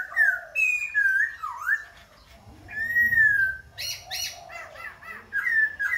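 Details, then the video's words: Loud, varied song of a Khe Sanh laughingthrush that keeps switching voices as it sings and dances: swooping whistles, a long level whistle, harsh bursts and quick rising-falling slurs in close succession. "Khướu Khe Sanh hót múa đảo giọng liên tục"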